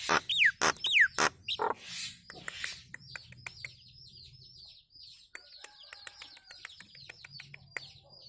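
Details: Nias hill myna song for training cage birds: loud downslurred whistles and sharp notes open, then a long run of quieter high chirps and short twitters over faint hum.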